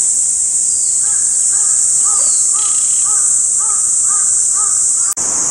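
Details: Oriental reed warbler, from a collection of contact calls and rare calls, giving about eight arched, rounded notes at roughly two per second. Continuous shrill insect buzzing sits behind, and a sharp click cuts in near the end.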